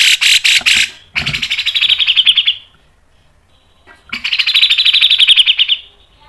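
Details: Grey-cheeked bulbul, locally cucak jenggot, in tight speedy song: a short harsh burst, then two long rattling series of fast buzzy notes, with a pause between them.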